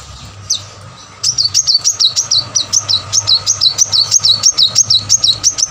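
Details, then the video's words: Plain-throated sunbird singing full out, used to prompt quiet caged birds to sing: one early note, then from about one second a brisk series of high, piercing, up-and-down notes repeated around three times per second. A faint hum is constant. "kolibri manggar full gacor buat pancingan korlab yang males bunyi"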